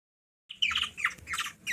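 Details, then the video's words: Hungry young Black-naped oriole, kilyawan, in the Philippines, hand-fed by a small girl: a few harsh, rasping squawks rising from silence, broad and noisy between roughly mid and high pitch. "Hungry bird feed by 3 yrs old girl(black naped oriole) from the philippines"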